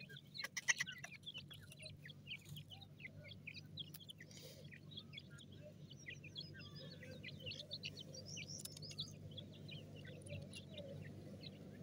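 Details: Grey francolin (desi teetar) chicks: many short, high, thin peeps and chirps overlapping in a busy chorus throughout, with a steady low hum beneath and a few sharp clicks near the start.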